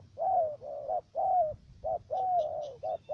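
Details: Cà Mau spotted dove used as a trapping decoy in U Minh, Vietnam, calling loudly and close with drawn-out falling coos alternating with short clipped notes; faint high chirps from another bird.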